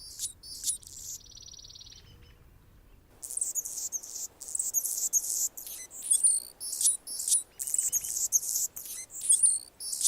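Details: Anna's hummingbird singing on a branch in Golden Gate Park, San Francisco, California: a thin, even buzzy note, a pause, then a run of high, scratchy, squeaky bursts repeated roughly every half second.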